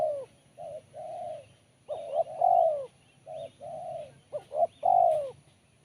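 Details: Spotted dove giving a sharp, crisp Kuk 1 style song. Several phrases of two or three short hooting notes, each followed by a longer, drawn-out falling coo. A faint chirping bird sounds behind it.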